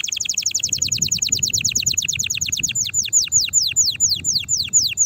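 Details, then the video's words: Canary in full song, used to stimulate other canaries to sing: a long rapid trill of high downward-sweeping notes that gradually slows into separate falling whistles. "تغريد طائر الكناري هائج نار , لتحفيز على الغناء"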